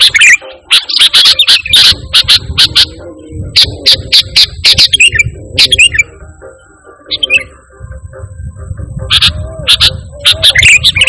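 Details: Sooty-headed bulbul singing briskly, a pure song used to call and tutor kept birds. Bursts of sharp, high, clipped chirps alternate with quiet stretches, joined by a faint thin high tone and a low background hum.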